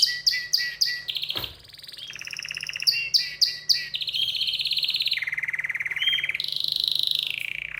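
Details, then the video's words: Excited canary in full song, loud clipped repeated chirps alternating with long rapid buzzy trills at shifting pitches, one sharp click-like burst early, steady trilling filling the second half. "تغريد كناري هائج"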